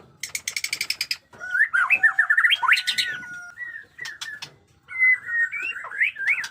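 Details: White-rumped shama of the Jenggot Dewa type, newly moulting plumage, singing in batuk koral and muntah beling style: a fast dry rattle of repeated notes, then quick twisting whistled phrases and sharp upslurs with brief harsh bursts.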